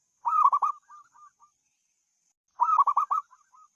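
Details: Zebra dove cooing in the lar tuku trek style: two phrases, each a loud stuttering burst of rolled notes followed by fading short trills, separated by over a second of silence.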